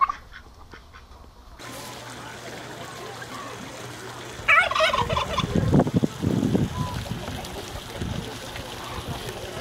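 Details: Male domestic turkeys kept together on a Paraná farm in Brazil, described as fierce fighters. After quiet hiss, a loud rattling gobble bursts out near the middle, then trails into lower, throaty gurgles over steady background noise.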